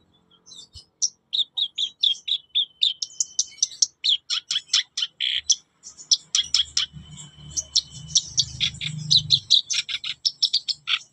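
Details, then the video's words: Captive black-browed reed warbler in full song, giving rapid runs of sharp, high chirps and harsh churring notes, each burst repeated quickly, with a faint low rumble in the background toward the end. "burung kerak basi alis hitam"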